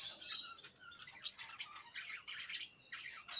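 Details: Budgerigar warbling: a steady stream of high scratchy chatter and squeaky notes, somewhat distant against a soft background hiss.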